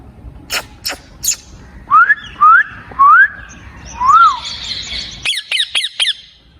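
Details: Talking ring-necked parakeet kept at home, whistling four upward-sliding notes in quick succession, then a rapid run of harsh, clipped squawks, preceded by a few clicks.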